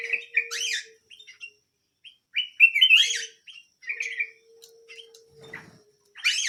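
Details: Singing canary giving short warbled phrases and rising chirps separated by brief pauses, with a faint continuous low hum in places.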